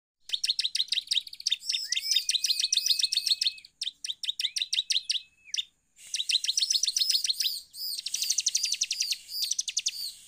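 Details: Bar-winged prinia lure recording, used to make other prinias sing: rapid, high chattering bursts of sharp notes mixed with long, flat whistled tones, delivered almost nonstop in loud runs.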